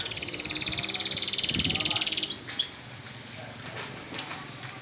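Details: Canary singing as a lure to prompt a lazy bird into song: a long, fast, even trill of high pulsed notes lasting about two seconds, then a few sweeping whistles and scattered soft chirps.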